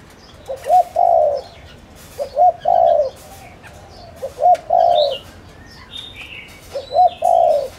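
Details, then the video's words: Spotted dove used as a decoy bird to lure wild doves, giving a three-part coo: two quick short notes, then a long mellow note, repeated about every two seconds. Thin chirps from other small birds in the background. "Tiếng cu gáy Gáy Gọi kích cu rừng cực nhạy/bổi nghe là gáy ngay"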